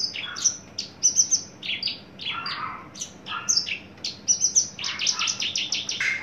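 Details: Caged adult male Horsfield's bush lark, tame, loud, newly entering breeding condition. Loud chirps come in rhythmic bursts, ending in a quick run of closely spaced high notes.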